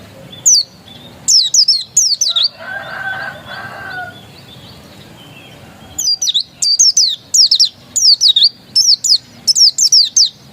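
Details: Dakun Oriental white-eye song of thin, piercing, downward-slurred whistles grouped in rapid two- and three-note bursts, repeated steadily with a brief pause near the middle where a soft rustling sound intrudes.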